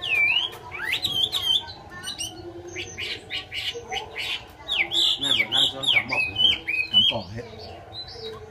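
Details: Chinese hwamei song: loud, varied whistled phrases with rapid slurred notes and quick chirps in uneven bursts, plus a man's voice and faint low tones underneath.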